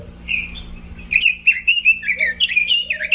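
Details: Robin song starting quietly, then a quick run of sharp, looping whistled notes, about six per second, with lower whistles mixed in; low hum throughout.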